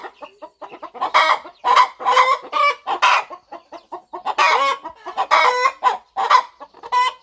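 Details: Mother hen settled on her nest on a farm, preparing to hatch eggs. A steady stream of clucks, quiet ticking notes alternating with louder drawn clucks, almost without pause.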